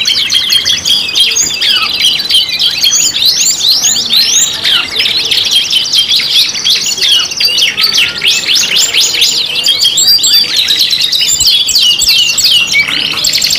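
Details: Canary singing a lure song: a dense, continuous stream of loud, high rolling trills and rapid chirps, with fast repeated notes and sweeping whistles running without a break.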